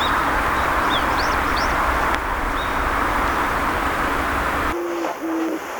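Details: An Oriental turtle dove sings in spring to early summer with low, soft hooting coos, clearest at the end, over a steady low rumble with faint high chirps from other birds.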